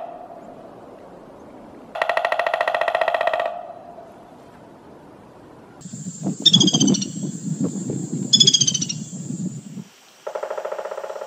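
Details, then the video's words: Pileated Woodpecker drumming on a tree like a machine gun: a rapid roll of knocks lasting about a second and a half. Low rumbling, a steady high whine and a few descending chirps follow. "𝐇𝐞𝐚𝐝𝐛𝐚𝐧𝐠𝐢𝐧𝐠 𝐎𝐧 𝐓𝐫𝐞𝐞𝐬 🥁 𝐌𝐚𝐜𝐡𝐢𝐧𝐞 𝐆𝐮𝐧 𝐏𝐢𝐥𝐞𝐚𝐭𝐞𝐝 𝐖𝐨𝐨𝐝𝐩𝐞𝐜𝐤𝐞𝐫"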